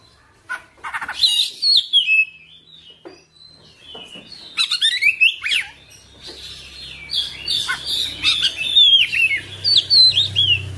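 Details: Oriental magpie-robin delivering a lively varied song of clear whistles, steep downslurred sweeps and harsh rasping notes, a low rumble underneath in the second half.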